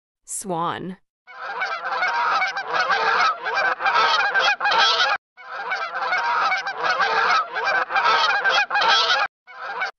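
Swans give harsh, nasal honking calls in long, overlapping bursts.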